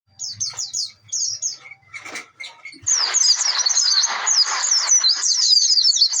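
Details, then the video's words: Oriental white-eye lure song used to make other birds sing: high, rapid twittering chirps, short bursts at first, then from about three seconds a dense continuous warbled stream with quick up-and-down notes. "pleci gacor pancingan suara pleci"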